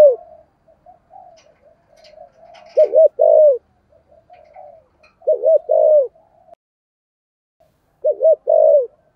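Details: Thổ-voice decoy spotted dove cooing to provoke wild doves: three spaced phrases of low, soft coos, a doubled stutter then a longer falling note, with faint murmuring and light clicks between them.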